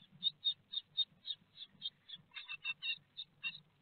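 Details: Théding nest-box great tits, France, 4 May 2021, feeding on a large peanut. Evenly spaced high cheeps, about four a second at first, then break into quicker stuttering double notes, against faint low hum.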